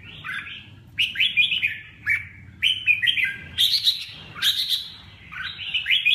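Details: Chào mào song: a series of lively warbled phrases roughly every second, each a quick jumble of high, slurred notes over faint background noise.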